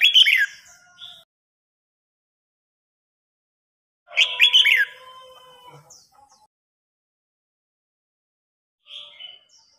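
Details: Red-whiskered bulbul in a song duel, old bird challenging young: two loud rolling warbled phrases about four seconds apart, a faint whistle later, with long silences.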